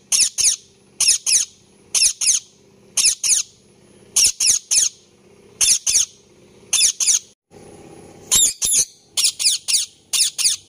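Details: Indian ringneck parakeet chirping in an angry voice: shrill, very high squeaky chirps given in quick pairs or triplets, repeated roughly every second, with a brief break near the middle and a faint low hum between calls.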